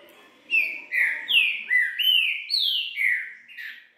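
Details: Green-winged saltator singing the 'três notas boi bitola' song style: a fast series of about seven loud, rich whistled notes, alternately rising and falling slurs, delivered over three seconds with a quiet hum beneath.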